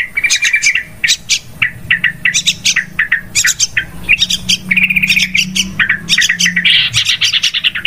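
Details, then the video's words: Yellow-vented bulbul sound used as a trapping lure, said to be very noisy: excited, jumbled chattering with sharp chirps and short bubbly phrases, nearly continuous, over a faint low hum. "SUARA PIKAT BURUNG TRUCUKAN"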